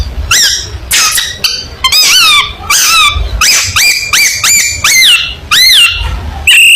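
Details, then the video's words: Long-tailed shrike in lively competition-style song used as training material: loud, rich whistled notes that sweep up then down, with strong overtones, repeated in quick bursts roughly every half second, separated by short pauses. "Burung Cendet Gacor Full Tembakan Mewah Materi Lomba"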